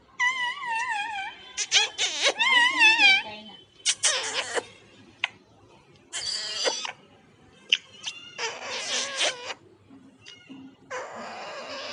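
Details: Pet parrot talking and making kissing sounds to its owner indoors: a run of high, wavering, harmonic-rich calls alternating with short breathy bursts and sharp clicks, with music playing behind.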